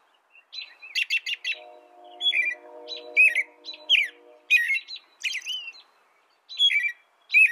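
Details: An American robin delivers a lively series of warbling, downslurred phrases and some high buzzy notes while a low mechanical drone hums beneath the first half, then fades away.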